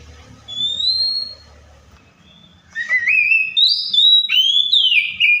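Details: Oriental magpie-robin copying other birds: a single clear rising whistle, a short pause, then a lively sequence of sliding, rising and dropping whistled notes.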